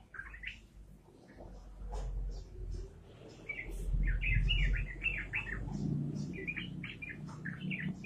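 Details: Energetic ropelan song of a yellow-vented bulbul: many short, bubbly whistled notes delivered in quick runs, heard over a steady low rumbling background.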